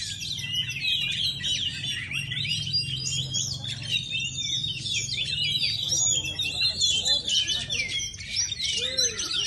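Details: Oriental magpie-robin, called kacer, in a continuous high rich song of tumbling whistles, chirps and trills without pause, over a steady low hum.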